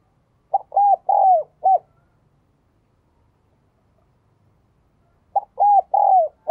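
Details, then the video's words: Spotted dove giving two low, hollow cooing phrases about five seconds apart, each a short note then two long drawn-out coos and a clipped final coo, with silence between. "cu gáy"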